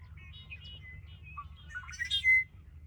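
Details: Wild red-winged blackbird, Ridgefield National Wildlife Refuge, 20 February 2025. Soft whistled notes, then a low slurred phrase rising into a harsh, buzzy rattle. A bright thin whistle closes the song, over a quiet low rumble.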